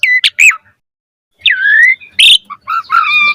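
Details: Asian pied starling singing in the 'gacor mompa' style: a few sharp whistled chirps, a pause of nearly a second, then a descending drawn-out whistle, a harsh burst and lower warbled notes.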